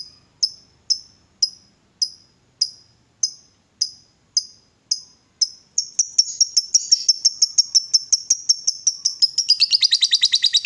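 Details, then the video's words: Excited lovebird provoked to call: evenly spaced sharp high chips, roughly two per second, gradually speeding into rapid chirping and finally a dense, rattling ngekek chatter. "Lovebird diam langsung Nyambar, Emosi Naik Gacor Ngetik Lanjut Ngekek"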